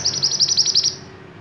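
A silver-eye gives five high, thin chirps, each about a fifth of a second apart, then falls silent.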